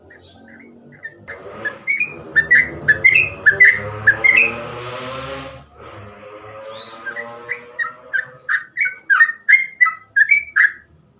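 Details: Sooty-headed bulbul, the trucukan, singing in the continuous ropel style with an easily copied cengkok pattern: clear whistled notes near two kilotones, repeated in quick bright bursts, with a faint humming harmonic background through the middle.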